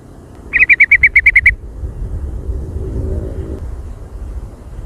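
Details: A yellow-vented bulbul (trucukan) in jontrot style pours out one fast run of about nine crisp, evenly repeated chirps lasting a second, followed by quiet low background noise.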